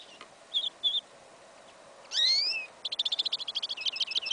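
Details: Hybrid of goldfinch and yellow Isabella canary, heard in a field in winter, January 2015, singing an incomplete song. Two brief high chips are followed by a long rising whistle, then a fast, even trill of rapid repeated notes.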